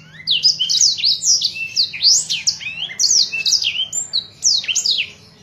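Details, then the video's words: Blackthroat singing for use in training other cage birds, delivering rapid, tumbling high whistles and chirps in dense phrases that fade out at the end, with a quiet low hum behind. "blackthroat gacor cocok buwat masteran burung"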